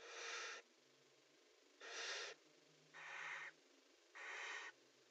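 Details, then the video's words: Four rasping, breathy hisses from barn owls in a nest box during mating, each about half a second long, coming at uneven intervals of roughly one to one and a half seconds. "Kerkuilen: PO en paring in VP"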